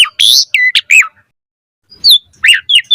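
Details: Asian pied starling song for bird training: a loud buzzy squawk and slurred whistles, a pause of about a second, then sharp descending whistled notes.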